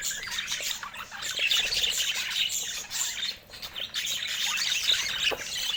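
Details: Constant budgerigar chatter, rapid high twittering and scratchy chirps about three per second, with a brief dip in volume near the middle before the chorus resumes.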